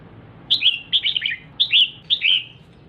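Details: Female red-whiskered bulbul, kept as a cage bird, firing off four quick phrases of clear, downward-slurred chirps in close succession, lively and repetitive, calling to stimulate the male.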